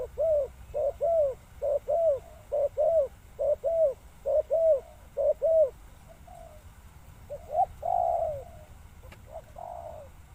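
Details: Spotted dove calling with a run of low, hollow coos, short rounded notes repeated about once a second for six seconds, then a few softer, drawn-out coos after a pause, over a steady low background hum.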